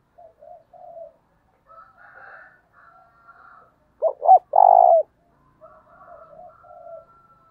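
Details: Spotted dove with the 'thúc' decoy coo for calling in wild doves: soft distant coos and faint chatter throughout, interrupted midway by a loud close phrase of two hoots and a long throaty coo.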